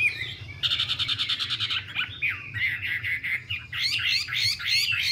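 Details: Chinese hwamei, a female dancing with spread feathers to urge the male into fiery singing; a fast buzzy rattle of repeated notes, then quick warbled, slurred whistles rising and falling.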